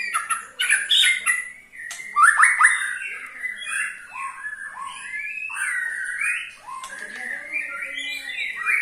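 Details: White-rumped shama performing ketrekan to make other shamas sing: a busy run of clicks and varied whistled notes rising and dipping, with brief rasping elements.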